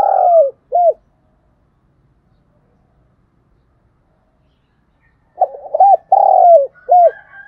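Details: Spotted dove decoy luring wild doves: the tail of one coo phrase, about four seconds of silence, then a full phrase of rapid short coos, a long falling note and a clipped ending.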